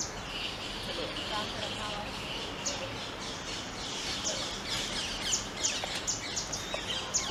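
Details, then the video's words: Grey-headed canary-flycatcher, a winter migrant from the Himalayas, foraging at Sundarvan, Ahmedabad, gives excited, sharp, very high chips that come faster in the last few seconds, over a steady hiss of background birds and forest noise. "Grey-headed Canary-flycatcher"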